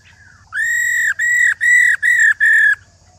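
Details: An old wild female white-browed laughingthrush utters its rò call, which pushes males to sing hard. A soft slurred note opens, then five strong, reedy, level notes about half a second each, separated by short gaps.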